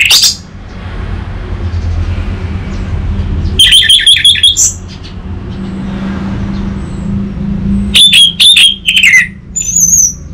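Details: Orange-headed thrush lure song for an untrained bird: two separate bursts of rapid, high whistled notes and trills, the second ending in a falling whistle, with steady traffic-like rumble underneath.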